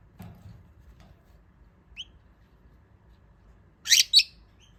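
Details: Jumbo budgerigar sneezing after sunbathing: two quick, sharp, noisy bursts close together near the end, with a few faint short chirps and a soft low rustle earlier.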